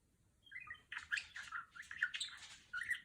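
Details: Pet female budgerigar imitating R2-D2 sounds. A few thin rising whistles open the clip, followed by a busy run of scratchy chirps and warbled notes. It ends in a short whistled flourish.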